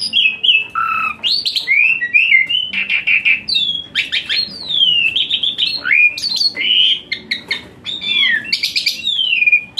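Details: Asian pied starling singing a full, varied song with hot phrases, for therapy of a reluctant singer: continuous squawky, grating notes mixed with looping whistled slurs and clicks.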